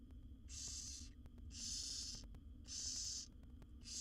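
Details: Wild barn owl nestlings, seven siblings, begging during a feed by the mother in a nest box: long drawn-out breathy screeches, four in a row, each around two-thirds of a second, with short gaps.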